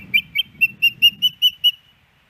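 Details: Female osprey at a nest in Hellgate Canyon, Missoula, Montana, on 10 September 2018, asking the male for his fish. She gives eight sharp whistled chirps at a steady pace over a soft low rumble.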